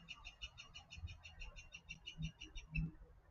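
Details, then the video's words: Pileated woodpecker near a backyard bird bath, recorded with an outdoor microphone, gives a steady series of about fourteen loud, high wuk notes, five a second, fading out; low thumps and dog-like barking underneath are not the woodpecker; call. "Okay, so that is the call of a pileated woodpecker, not the barking that you hear."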